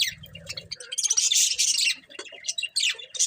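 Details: Budgies chirp and squawk in quick, scratchy high bursts, and a brief loud rasping chatter swells in the middle before breaking into short squeaks.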